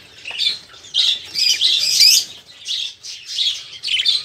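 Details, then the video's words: Budgerigars chattering loudly, a sound used to encourage other caged birds to sing; rapid raspy warbles and squawks in steady overlapping bursts with short gaps. "Suara Burung Parkit | Parkit Gacor | Pancingan Suara Burung Parkit agar cepat bunyi"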